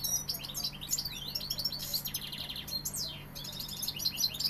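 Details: European goldfinch described as Sevillian, singing a rapid, tinkling stream of twittered notes, buzzy trills and fast descending slurs, almost without pause, over a steady low hum.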